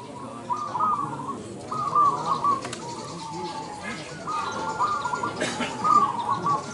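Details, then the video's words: Competition zebra dove in Indonesia singing repeated trilling coo phrases, each under a second and separated by short pauses, with a faint clap-like click and general background hubbub. "LOMBA SUARA BURUNG PERKUTUT ||PERKUTUT MANGGUNG INDOONESIA"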